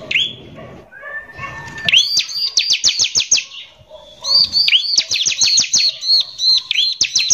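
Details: Bar-winged prinia giving coarse 'nembak kasar' song used to excite other prinias. A soft whistle leads into two long runs of rapid, sharp high notes with arched slurs and a brief quieter gap between them.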